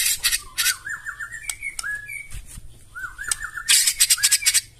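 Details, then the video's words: Loud White-rumped shama song meant to make other birds sing back, mixing short rising and falling whistled phrases with harsh rasping bursts and a rapid rattling ending. "KICAUAN MURAI BATU NEMBAK KASAR AUTO NGAMUK SEKALI DENGAR LANGSUNG NYAUT"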